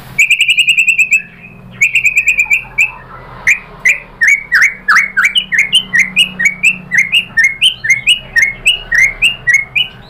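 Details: White-rumped shama song as a provoking lure for other shamas: clear repeated whistled notes at first, then a long regular series of sharp downslurred chips, roughly three per second.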